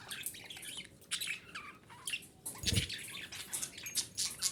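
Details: Female budgerigar calling, used to stimulate breeding: bursts of high, scratchy chirps and squeaky twitters come in loose groups, broken by a short low thump near the middle.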